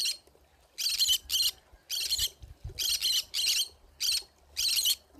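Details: Pineapple conure in the forest, giving about nine loud, grating squawks in quick pairs, with faint low rustling between them.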